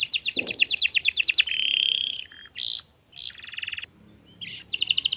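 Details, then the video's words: Domestic canary, young, sings a lure song: a rapid high trill, a long steady buzzy tone, short bursts of harsh rattling notes, and a final fast trill. A brief low thump is heard near the start. "PANCINGAN KENARI PAUD Langsung Nyaut Nggak pake lama"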